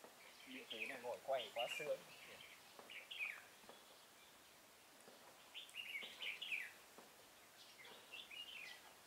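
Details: Decoy red-whiskered bulbul at a bird trap on 16 November 2017 gives clustered chirpy, warbling phrases in two bursts separated by a quiet gap, while a man speaks Vietnamese at the start over rural background noise.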